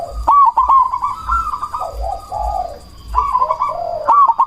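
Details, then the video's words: Zebra dove of the cemani variety, a loud-voiced lure bird meant to provoke other doves into answering and raise breeding drive: clicky opening notes, then low mellow rolling coos, repeated twice, over a steady high whine and soft low thumping. "Perkutut cemani gacor suara BESAR pancingan ampuh bikin lawan langsung nyaut"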